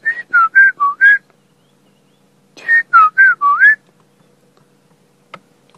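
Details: At sunrise on a cold July morning during the dawn chorus, a white-browed scrub robin sings two phrases of five clear whistled notes that fall, level and rise, about two seconds apart, over a quiet background.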